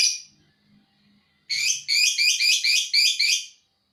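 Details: Lovebird 'ngekek' song: one harsh high note, a short pause, then a rapid burst of about eight loud, buzzy, overlapping chirps running together in a two-second chatter.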